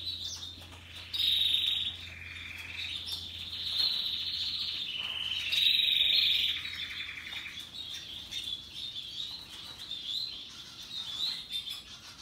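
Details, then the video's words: Russian yellow and Timbrado canaries singing happily, a long varied song of rapid rolling trills and chattering phrases, with louder bursts early and midway, then softer repeated twitters, faint hum beneath. "Canaries Paradise Song Sound"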